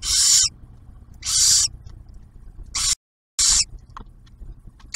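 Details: At a barn owl nest camera near Oak Harbor, Ohio, the female shares the male's food delivery with the newly hatched owlet; a run of loud, rasping hisses of uneven length, broken by one brief dropout of total silence.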